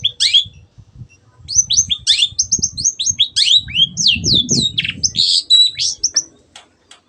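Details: Shrike (cendet) singing a rapid chattering medley of high, sweeping whistles and squeaky notes used to get other birds singing, with low rumbling handling noise underneath.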